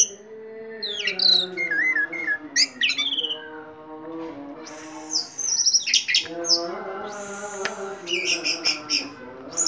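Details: Orange-headed thrush singing hard in 'teler' style, a caged bird: varied rapid phrases of piercing high whistles, trills and slurred chirps in bursts, steady low hum throughout.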